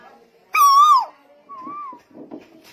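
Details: Lombok tuwu in full song, giving one strong, harmonic, downslurred whistle followed by a quieter, lower, undulating note, with soft background rustles.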